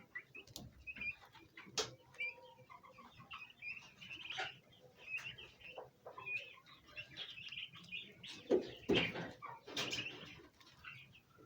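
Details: A group of domestic bronze turkey poults chirp while gathering around a basin of ornamental plants, trying to eat them. Thin high peeps repeat irregularly, mixed with scattered knocks and rustling.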